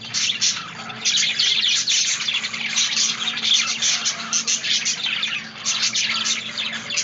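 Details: Continuous budgerigar twittering: a rapid stream of high, scratchy chirps and warbled notes, overlapping and nearly unbroken, with a brief softer lull in the middle.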